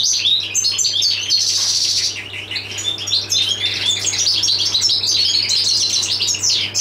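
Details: Jilguero del paso, a European goldfinch, pouring out fast, high chattering song with a harsh buzzy burst lasting about half a second early on, then tinkling trills to the end, over a low constant hum.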